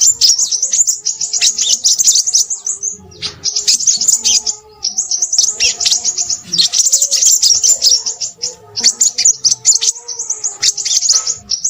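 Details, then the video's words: Noisy crimson sunbird singing in long runs of very high, sharp twittering notes and quick trills. The rapid phrases pause briefly about every two to three seconds, then resume. "burung sepahraja ribut"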